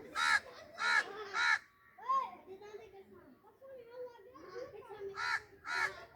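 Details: Talking parrot producing speech-like calls: bursts of harsh, rasping syllables repeated in groups of three, separated by softer, tonal mimicked phrases with gliding pitch.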